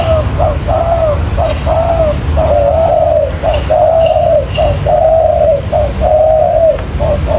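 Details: Spotted dove cooing used as a trapping lure: a steady string of soft, hollow coos, short lead-in notes joined to drawn-out slightly wavering ones, roughly once a second, with faint low background hum.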